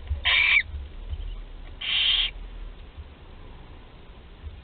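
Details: Two rasping, hissing screeches from barn owl chicks at Théding, France, 20 July 2020, when a 13-day-old chick can swallow whole prey; each call lasts about a third of a second, with quiet low hum between.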